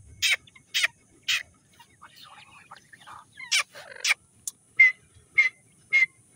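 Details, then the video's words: Grey francolin (irani teetar) chicks from Sindh at feeding time: short sharp high calls repeated about twice a second, with a softer chattering stretch midway and thin slurred whistles near the end. "irani teetar chicks baby feed"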